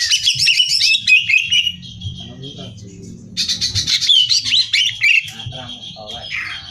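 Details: Greater green leafbird song meant for contest training: a high chattering phrase, a brief quieter gap with low murmurs, then another rich burst of whistles and trills.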